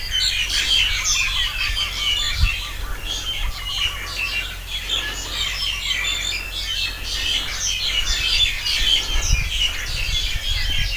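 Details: Many birds singing at once among trees on a chemical-free organic farm, February 2021. Dense overlapping chirps and short trills form a continuous high chorus, with faint low bumps and background hiss.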